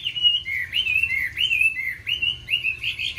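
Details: Chinese hwamei, a kept songbird with many wild-style voices: a steady flow of clear slurred whistles, each phrase rising then falling, repeated about twice a second over faint low hum.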